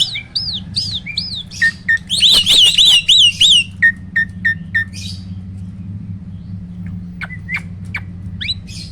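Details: Roll tembak song of a hybrid Asian pied starling and black-winged starling cross, loud and forceful. Looping whistles lead into a burst of five quick rising-falling notes, then evenly spaced clipped chirps that fade into scattered calls over a low background hum.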